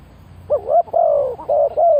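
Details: One phrase from a decoy spotted dove luring wild birds: four linked, soft coos. The second note is longer and falls slightly, and the rest are short and rounded.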